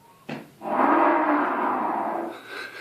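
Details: An Australian bustard gives one drawn-out, hoarse roar lasting nearly two seconds, deep and rough and likened to a lion's roar. A brief knock comes just before it.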